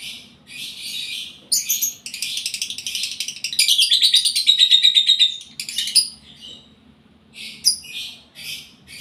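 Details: Lovebird in breeding condition, singing indoors: long bursts of shrill, buzzy chatter made of fast repeated notes, about three per second, with short pauses and high squeaky accents between phrases.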